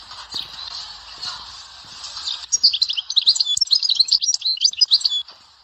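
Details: Dahwara sector style goldfinch song from Souk Ahras: steady background hiss for two and a half seconds, then a lively stream of sharp tinkling chirps and trilled notes running to the end.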